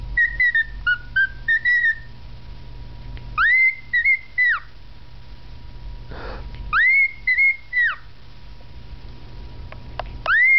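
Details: Male pet cockatiel performing his own rendition of a learned tune, perhaps the Andy Griffith Show theme or Schubert's Trout Quintet: short whistled notes, then phrases of rising, held and falling clear whistles repeated every few seconds, indoors.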